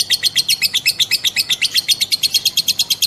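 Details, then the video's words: Female lovebird giving the long ngekek ngetik trill, a song used as a lure to set other lovebirds singing: a high, even chatter of rapid pulses, about eight per second, running unbroken for three seconds. "BURUNG LOVEBIRD BETINA NGEKEK NGETIK PANJANG"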